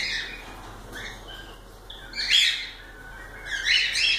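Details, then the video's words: A cockatiel's drawn-out wavering whistles followed by two loud, raspy chirp bursts. "Calopsitas Live de Agradecimento aos 500 Novos Inscritos Canto dos pássaros"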